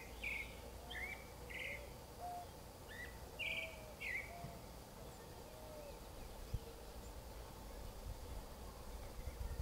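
Creamy-bellied thrush giving short, varied, slightly buzzy high phrases about once a second for four seconds, then pausing; faint lower whistles and steady rumbling background noise.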